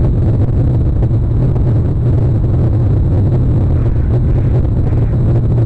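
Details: Continuous heavy engine rumble and wind noise, a constant low drone with no other distinct sounds.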